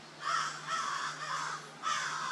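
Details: Crows in a Florida park on a morning give four harsh, loud caws in quick succession, roughly every half second, over a steady low hum, mobbing a pair of Barred Owls perched in the trees.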